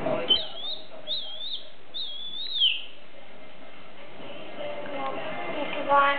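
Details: Pet common hill myna performing: a run of looping, slurred whistles rising and falling in the first three seconds, then quieter, with a steady low murmur throughout.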